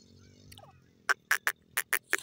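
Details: Grey francolin, known locally as teetar, calling: a burst of six loud, harsh, clipped notes, unevenly spaced about a fifth of a second apart over one second, preceded by a quiet hum and a few faint chirps.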